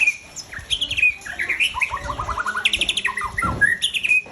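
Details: Aceh-type white-rumped shama, a breeding-stock bird, sings a rich varied phrase: clear whistled slurs, then a fast run of bright rising notes and sharp upslurred whistles, ending with a sustained high whistle.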